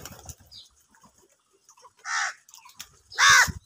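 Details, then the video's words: Crows squabbling over food give two loud, harsh, nasal caws about a second apart, with faint scattered chirps and small knocks between them. "কাকের ডাক Crow sound loudly | clear crystal crow bird crowing sounds | angry kauwa ki awaaz"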